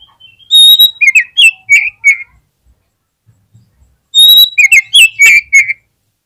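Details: Short singing phrase from an Oriental magpie-robin, used as a lure to get others singing: a clear sustained whistle followed by a string of quick, rich, downward-slurred notes, given twice with a silent gap between.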